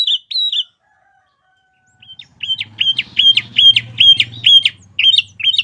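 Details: Sooty-headed bulbul singing 'gacor' with 'isian' fillers, meant as tutoring song for caged birds. A couple of whistles, a pause, then a steady string of sharp hooked notes over a faint low hum.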